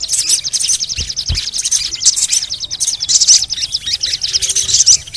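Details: Crimson sunbird (sogon) audio used to stir lazy sogon birds into singing: dense, rapid high-pitched chirps and fast trilled ticking run almost continuously, with brighter bursts of sharp notes every second or so.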